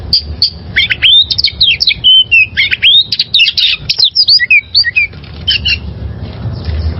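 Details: Wild oriental magpie-robin singing fast, varied phrases of bright whistles, trills and chattering notes with sweeping pitch, nearly continuous for five seconds before fading; faint low hum underneath. Intended for training caged birds.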